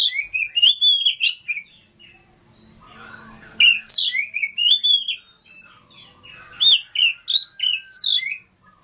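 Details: Oriental magpie-robin of Lampung stock singing rich, varied whistled phrases in three bursts, mixing sweet slurred notes with sharp high chips; faint rustling between phrases.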